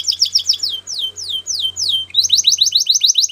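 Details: Canary singing a series of clear downward-sweeping whistled notes, slow at first, then quickening into a fast run of repeated swept notes; faint low hum in the background.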